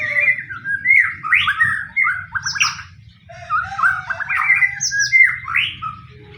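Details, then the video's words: White-rumped shama singing to provoke other shamas into song: rich, rapid whistled phrases mixing rising and falling notes with buzzy trills, continuous throughout, over a faint low rumble. "pancingan murai pastol tarung murai apapun akan ikut bunyi"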